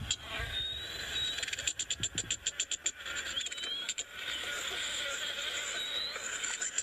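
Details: Pectoral-patch cisticola (Cisticola brunnescens) calling at sunrise, 7 September 2017, Djuma Game Reserve: a quick run of about a dozen dry, sharp ticking notes, with thin high whistles from other birds over a steady insect hiss.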